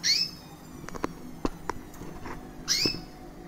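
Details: Recessive white female canary, a year old with red-factor eyes, chirping indoors: two sharp, sweeping cheeps at the start and end, with soft clicks and tapping sounds in between.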